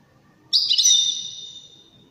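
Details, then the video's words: Wedani goldfinch song: a single sudden, loud, bright onset that stretches into a shimmering sustained high note, gently fading after about a second. Quiet background. "تغريد رائع أناقة في الأداء طائر الحسون الويداني"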